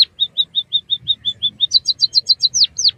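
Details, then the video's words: Song of a white-headed munia meant to stimulate and train captive birds: evenly spaced short high notes, shifting into quicker, higher chirps and two long downward-sweeping whistles. "suara burung emprit kaji gacor masteran burung pipit bondol haji biar ngeroll"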